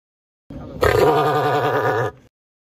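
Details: Two cassowaries confronting each other; one gives a short quieter grunt, then a loud, rough, wavering rumble of about a second and a half, with no other sounds heard.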